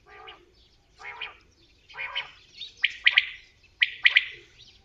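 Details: Common quail: a few lower, harsher introductory notes build into clear, ringing triplets, each group of three sharp pulses repeating about once a second.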